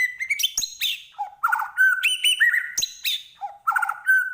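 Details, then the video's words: Singing white-rumped shama delivers a varied rich phrase of clear whistles at several pitches, sharp high clicks and low mellow notes, repeated in two similar sequences across about four seconds, no other sounds. "Murai Batu Gacor"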